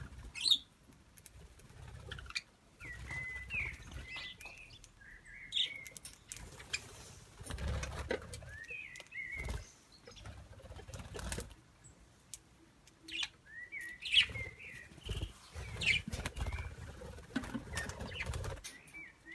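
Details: Pet budgerigars eating wheatgrass give short, scratchy chirps and warbles over soft rustling and fluttering.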